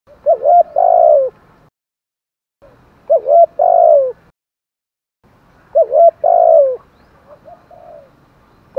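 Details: Spotted dove giving its thúc gù coo, a calling coo in the thổ sấm voice style: three low, hollow phrases, each a couple of short notes and then a longer mellow coo, separated by pauses of about a second.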